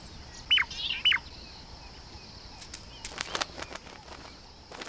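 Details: A shrike pair gives its morning duet: the male calls first and the female answers within a split second, so two sharp, high whistled notes that drop quickly merge like one call. Scattered clicks and rustling follow.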